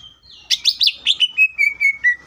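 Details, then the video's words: Greater green leafbird singing aggressively to draw song from other leafbirds: a quick jumble of bright warbled notes that settles into a steady row of clear, evenly spaced whistles. "CUCAK IJO GACOR GANAS BUKA MATERI❗PALING AMPUH BUAT PANCINGAN IJO AGAR CEPAT BUNYI AUTO EMOSI!"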